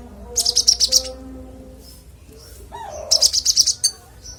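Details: Sunbird known locally as kolibri ninja delivering clear song meant as tutor audio for songbirds; two fast bursts of very high sparkling chirps separated by a quiet pause, a brief lower warble in between, faint background hum.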